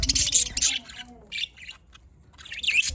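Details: Budgerigars chirping in the morning: bursts of dense, scratchy high chatter, broken by short silences, with a faint low hum underneath.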